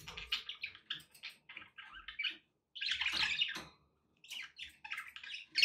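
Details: Pet budgies with background noise: quick, squeaky chirps in rapid succession, a loud raspy burst of chatter midway, a short silence, then more scattered high chirps.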